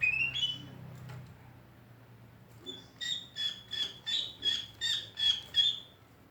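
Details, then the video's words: Greater green leafbird giving an unusual, trendy song: a run of eight loud, evenly spaced buzzy chattering notes, about two per second, after a brief high whistle, over a low background hum. "Cucak ijo suara aneh tapi ngetrend"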